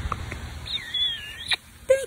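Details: Pet palm cockatoo (Probosciger aterrimus) asked for a kiss gives a thin, high, wavering whistle under a second long, then a short lower note, amid soft rustling and a person's voice.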